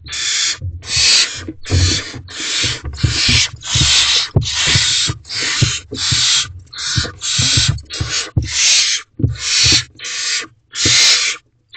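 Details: Four barn owlets together in a nest box at 4:33 am on 1 May 2023 give harsh, breathy hissing screeches, each lasting under a second, repeated roughly every second without a break.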